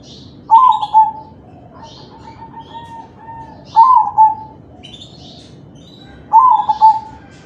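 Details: Crossbred zebra dove of the kalung tempuk type cooing, used to prompt other doves to sing: three soft, low, hollow phrases, each a quick double note and a drawn-out coo, about every three seconds, with faint high chirps between.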